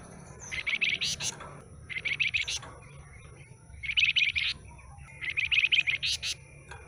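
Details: Stub-tailed flamboyan, recently bought from a bulk lot, gives four phrases of fast chattering notes, each ending in a sharp high flick, separated by short pauses, over a constant thin high hum.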